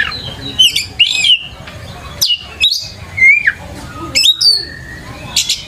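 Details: Oriental magpie-robin lure recording for training young birds, with separate loud phrases of whistled slurs, downward-curving notes and rasping chips, spaced by short pauses.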